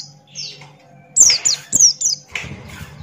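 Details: Buxton's white-eye singing in the energetic 'ngalas' style: a few high, thin whistles sliding downward, then a quick burst of sharp descending notes, over a steady low hum.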